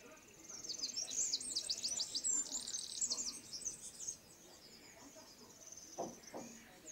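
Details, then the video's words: Eurasian wren singing a dense, high-pitched jumble of fast trilled notes for about three seconds, with a faint low background hum and a couple of lower knocks near the end. "EL CHOCHÍN. CANTO Y ALARMA."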